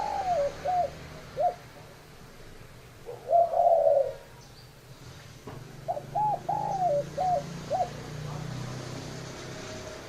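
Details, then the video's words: Repeated phrases of short hooked coos and a long, husky coo from a spotted dove, separated by pauses, with a soft low hum in the background. "Tổng hợp tiếng chim cu gáy"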